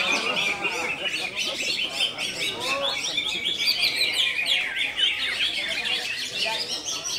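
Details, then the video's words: Greater green leafbird song in the konslet style: a dense, unbroken stream of rapid chattering, buzzy and sharply whistled notes, high-pitched and jumbled, running throughout with men's voices talking softly in the background. "CUCAK IJO KONSLET"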